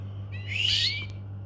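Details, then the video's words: Domestic canary utters one loud upswept whistle that rises and holds briefly before fading, heard against a constant low electrical-sounding hum indoors. "domestic canary birds"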